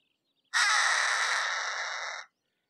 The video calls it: Harris's Hawk Call - Harris's Hawk Sound - Harris's Hawk Song - Harris's Hawk Scream - Screech-Voice